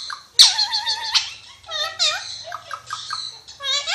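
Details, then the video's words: Alexandrine parakeet talking: a loud sustained nasal word-like note, then bouncing syllables rising and falling in pitch, a steady faint hum beneath, and a squeaky phrase at the end. "Pakistani Ringneck Parrot Talking"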